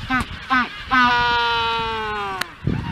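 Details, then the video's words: Magellanic penguin honking its mating call on Isla Magdalena in the Strait of Magellan, Chile: two short honks, then one long, steady, nasal bray held for about one and a half seconds, ending in a rustle. "Penguin honking mating call"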